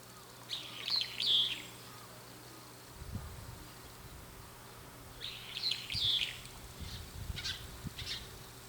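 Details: Brown-eared bulbul perched on an antenna, calling as if talking to its companions, and later flying toward their calls. Two bursts of shrill, squeaky notes come about five seconds apart, with a few faint chirps and steady low rumbling noise behind.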